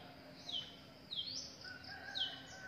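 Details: Wild drongo fledglings and parent birds; three high sweeping chirps spaced roughly a second apart, with a faint steady hum underneath.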